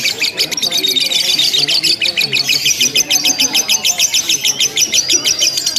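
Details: Lovebird 'ngekek' contest chatter, a long unbroken run. Shrill, rapid rattling notes pulse steadily several times a second, with some thin whistled strands woven through and a faint low murmur beneath.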